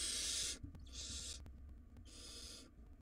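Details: Three noisy, hoarse screeches in quick succession, each about half a second, from wild barn owl nestlings in a nest box fighting over a very large rodent, with a soft background hum.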